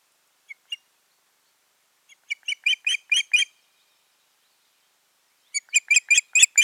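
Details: Osprey pair on the nest in Finland, June, following a failed nesting attempt; two faint chirps, then a fast series of strong high whistled yelps, silence, and another accelerating run of loud piercing notes.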